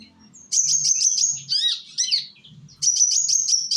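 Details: Young sunbird of Indonesia singing as a lure for other sunbirds: high, buzzy trills of fast repeated notes, broken by two short swooping whistled notes, then the trill resumes.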